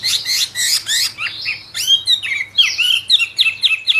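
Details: Albino Chinese hwamei bred in captivity delivers a fast, rich song: harsh buzzy bursts at the start, then clear whistled slurs and rising notes, ending in quick repeated downward-sweeping phrases about four per second.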